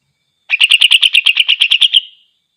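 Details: Greater green leafbird singing in gacor style, meant to provoke other leafbirds into fury: a clean, rapid run of about thirteen bright, buzzy, evenly spaced notes lasting roughly a second and a half, then trailing off, with no other sounds.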